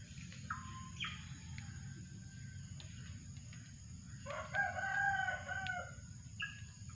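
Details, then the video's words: Drongo calling, used to lure birds: a few faint clear whistled notes near the start, then a louder burst of stacked, slightly wavering whistles in the middle, over a constant low rumble and a steady high insect hum. "mikat burung srigunting"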